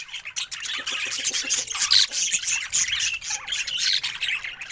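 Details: A cheerful pet budgerigar chatters in a rapid, high, raspy warble mixed with brief squawks and thin whistled squeaks.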